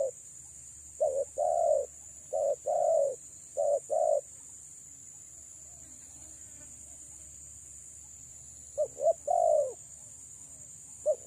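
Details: Soft coos from a female spotted dove luring males: a run of short hollow notes with longer falling coos, a long silent gap, then another clipped-then-drawn phrase, over a faint constant high whine.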